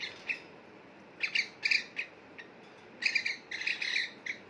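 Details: Two pet cockatiels calling while bathing in a bowl of water: short, bright chirps in small bursts, clustered twice with a lull between, over a faint steady hiss.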